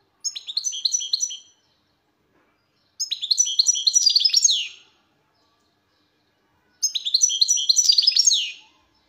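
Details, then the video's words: Goldfinch song from 2023 in three bursts of quick, liquid, high-pitched twittering. Each burst lasts one to two seconds and is split from the next by a clear silent gap. No other sounds are heard. "تغريد حسون خلوي والا اورع"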